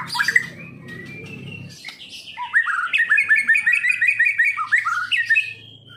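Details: White-rumped shama, Medan type, kept caged, starting with scattered calls, then a rhythmic series of rapid repeated chirped notes, several per second, ending in a whistled phrase.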